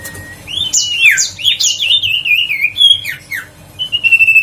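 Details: Huýt cô bird's call, used to stir other birds into singing: a soft whistle, then a loud tumbling series of slurred, looping whistles, ending in a steady sustained high whistle with faint background hum.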